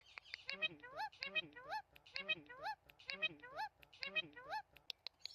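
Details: Talking parrot chirping: squeaky, harmonic rising notes repeated in rhythmic groups about twice a second, separated by short clicks.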